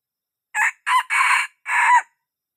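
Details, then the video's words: A young red junglefowl gives a full crow meant for luring birds in. Two short clipped notes, a long rasping middle note and a closing note that falls away, all clear and close. "Suab qaib qug qua zoo , dib tuaj zoo 100% gà tơ"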